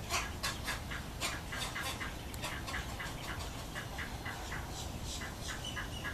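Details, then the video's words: Chicks and adult cattle egret: a loud harsh call opens, then a stream of rasping pulses at about two per second, continuing over a dull, constant background rumble. "Cattle Egret w Chicks"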